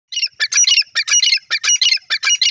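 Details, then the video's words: Female grey francolin, known locally as teetar, giving a loud, harsh, rasping call of rapid clustered notes repeated several times a second in an unbroken series, with no other sounds. "gray francolin voice teeter sound"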